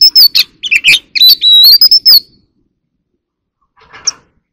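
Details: Oriental magpie-robin singing competitively: quick harsh and fluty notes lead into a long steady whistle with a slight rise, then silence and a faint scratchy call.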